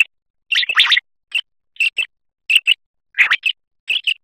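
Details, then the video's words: Common quail (batair) song from the 2023 hunting season: crisp, high, clicking notes in groups of two or three, repeated roughly every half second. Some groups begin with a harsher burst, and the background is silent. "Batair singing"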